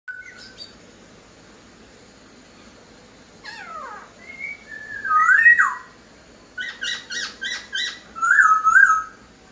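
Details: Laughingthrush singing actively: a brief high whistle, a falling slurred note, then clear warbled whistles and a quick run of sharp repeated notes, with pauses between phrases.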